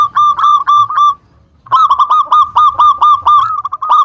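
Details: Lure song of a local zebra dove, meant to draw rivals into replying: two bursts of rapid staccato cooing notes, each note short and bright, separated by a half-second silence.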